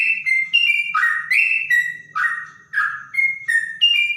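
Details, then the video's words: Clear-voiced trotok song likened to a straw-headed bulbul, made of bright whistled notes that jump between higher and lower pitches, some sliding downward, over a soft low hum. "Burung trotok bonang suara bening rasa cucak rowo"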